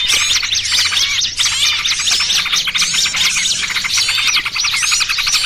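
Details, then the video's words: Lure sound for catching small birds, combining noisy trucukan and 'burcil kejepit' calls: crowded bright chirps, curling whistles and fast tweets tumbling together, steady and loud, over a faint low hum. "Suara Pikat Burung Kecil Paling Ampuh!! trucukan ribut kombinasi BURCIL KEJEPIT"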